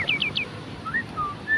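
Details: A captive White-rumped Shama, over-excited in breeding condition and aggressive (chasing and pecking the hand at feeding), gives three quick, high, downslurred whistles, then three lower, slurred whistles spaced about a third of a second apart.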